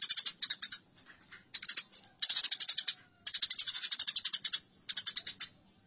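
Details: Eurasian tree sparrows in a fight give repeated harsh, rapidly pulsed chatter bursts, each lasting about half a second to a second, almost without pause.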